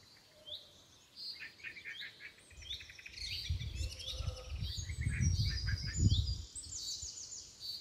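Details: Red-vented bulbul chicks at a home garden being fed by a parent, recorded on a mobile phone: rapid, high, thin chirps and downslurred squeaks tumble over one another, several per second, over a low rumble of handling or wind noise.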